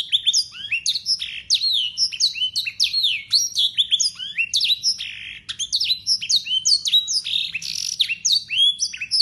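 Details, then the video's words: Local Yorkshire canary, kept for tutoring young canaries, delivers a continuous clear song full of blackthroat and sanger phrases: fast high whistled sweeps and descending slurs, rapid trills, bright and unbroken for over nine seconds. "KENARI YORKSHIRE LOKAL GACOR FULL ISIAN BLACKTHROAT SUARA JERNIH"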